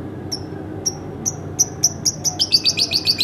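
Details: Pet house lovebird giving high thin chirps, first spaced about half a second apart, then speeding into a rapid run of repeated chirps near the end.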